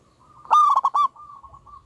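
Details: A single loud phrase from a vocal local zebra dove: a ringing opening coo followed by three quick stuttering notes, then fading soft coos.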